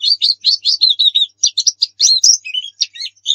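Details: White-eye 'nembak' master song for luring: continuous high twittering of short chirps and slurred notes, shifting pitch between phrases, quiet background.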